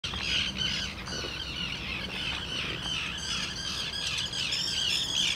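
Common terns calling together, a dense overlapping chorus of harsh, grating squawks and high rasping notes with no pause, with a faint low rumble underneath.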